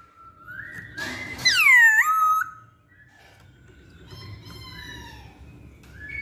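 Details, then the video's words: Masked laughingthrush singing: a steady whistled note rising into a loud, harsh burst of downslurred, harmonic-rich whistles, followed by softer, wavering tonal phrases and a faint rising whistle at the end. "Pancingan Poksay Hongkong"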